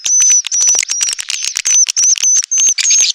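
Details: Edible-nest swiftlets giving a mating call that attracts swiftlets to a nest house. Short bursts of high chatter alternate with a clear, thin, level whistle repeated roughly three times a second.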